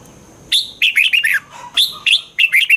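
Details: Caged red-whiskered bulbul song played to excite other caged birds: repeated bursts of bright, warbling whistled notes, some sliding down, delivered in quick phrases of three to four notes with brief pauses, a thin constant high tone underneath.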